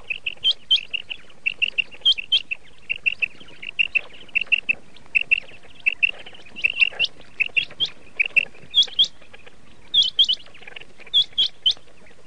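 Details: Long run of evenly paced short chirps from red shade common quail, with hooked high whistles breaking in every second or two over faint background hiss.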